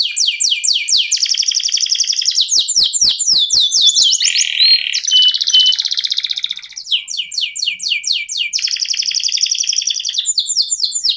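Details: Domestic canary singing a long 'ngerol sejalur' rolling song. Fast chirped runs alternate with extended buzzing trills and a lower rasping roll, then close with rapid repeated high notes.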